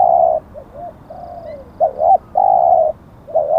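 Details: Spotted dove at a decoy-luring session where a wild bird was caught, giving low, mellow coos: long level notes broken by short hooked and paired notes, in a steady run with a quiet hum behind.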